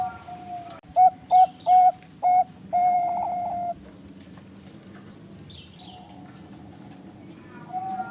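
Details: Bangkok zebra dove from a breeding farm in Bekasi, West Java, Indonesia, in the lively manggung gacor song style: four quick, punchy coos, then one long held coo, followed by quieter distant cooing.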